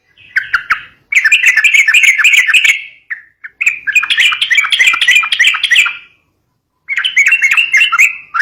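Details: Fighter-style sooty-headed bulbul song for drawing out young birds, several long runs of rapid chattering, bubbly whistles with scratchy clicks, broken by brief pauses and one longer silence.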